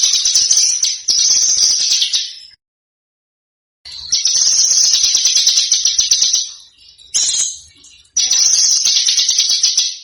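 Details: Small bird song used as master recording for training competition cage birds to copy: loud, high, buzzy sustained trills in long bursts, broken by a silent gap and a brief sharp note before another trill.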